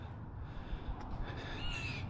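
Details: A Blue Jay, one of many in the area, gives a harsh, scratchy screaming call that rises slightly near the end, beside a limestone-bedded creek after rain. A heavy low rumble of wind or handling noise partly covers it.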